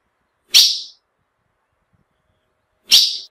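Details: Female ultramarine grosbeak calling to excite males: two short, harsh, breathy chips about two and a half seconds apart, with silence between them.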